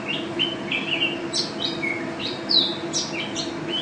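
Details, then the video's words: Champion contest mountain white-eye singing in teler and ropel style: rapid high chirps mixed with drawn-out down-slurred whistles and sharp upward flicks, carried over a soft steady hum. "Pleci Juara 1 Nasional pleci Gacor juara nasional teler gacor ropel pleci"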